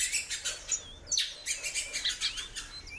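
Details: Frequent calling from a female great-billed seed finch: brief upslurred and bowed whistles recur every fraction of a second, overlaid on rapid, loud clicking and fluttering sounds.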